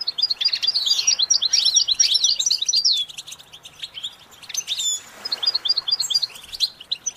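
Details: Goldfinch singing for song training: a loud rush of rapid, tinkling twittered notes and short trills, a quieter gap, then further chirping phrases.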